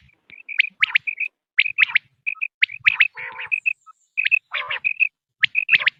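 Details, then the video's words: Quail on a hunting cassette: rapid runs of clipped, whistled notes, often in threes, broken by steep rising sweeps and two short harsh, croaking bursts. "sound of btair 2023/بٹیر کی لاجواب کیسٹ"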